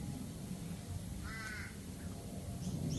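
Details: Australian galah producing a rasping, buzzy screech lasting under half a second, then a softer squeak, with faint high chirps of small birds near the end over low background hum.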